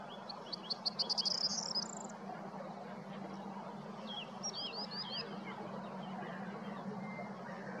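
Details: Corn bunting recorded on 20 April 2022 at Prečko in Zagreb, Croatia, delivering one song: high clicking notes that accelerate into a brief glittering jangle. A different bird's sharp, downslurred chirps follow, with a constant low hum underneath.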